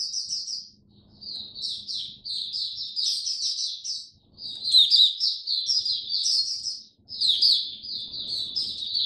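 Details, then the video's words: Oriental white-eye, a caged songbird kept through cold rainy weather, delivering bursts of fast, high, warbling twitters separated by short pauses, with a faint low hum underneath. "Mata Puteh Buka Sing"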